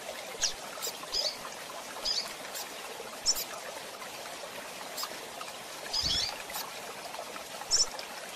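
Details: Double-collared Seedeaters (coleiros), males and females, give short, thin, high chirps, singly or in quick pairs, every second or so, over a steady hiss like running water.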